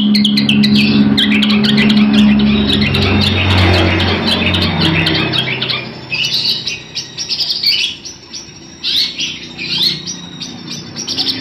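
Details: Long-tailed shrike song, used for tutoring other birds: rapid scratchy chattering notes in dense bursts, about three to four a second, over a loud low droning rumble during the first five seconds, then clearer, choppier phrases.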